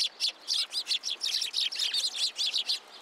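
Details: Sparrows coming to a pillar for food at a Tenman-gu shrine on 27 January 2023; a dense run of short, bright chirps, roughly five per second, overlapping as several birds call together.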